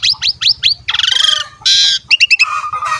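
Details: Asian pied starling phrase for training young birds to sing: four quick rising chirps, a grating buzzy rattle, a long harsh noisy note and short paired chirps, over a low pulsing background hum.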